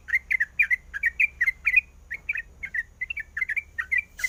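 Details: Female sooty-headed bulbul calling the male; a steady run of short bubbly whistled phrases, roughly three per second, with brief pauses, over a faint low hum and a burst of noise at the end.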